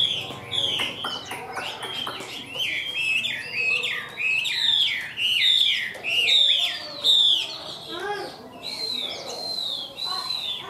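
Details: Caged Chinese hwamei noted for good nodding, trilling song: loud, looping high whistles that swoop up and down in quick linked phrases, with short breaks, lasting about ten seconds.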